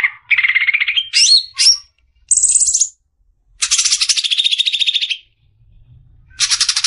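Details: Greater green leafbird besetan, used as masteran for tutoring songbirds: quick medley of buzzy trills at different pitches, rising slurred notes, a high descending phrase, then a long rapid buzzing trill and a final rasping burst.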